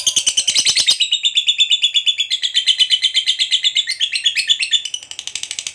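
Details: Fighter lovebird kept by hobbyists, in long ngekek chatter meant to provoke other lovebirds to answer: a rapid, continuous run of shrill, scratchy notes, nearly three per second, that shift in pitch as they go.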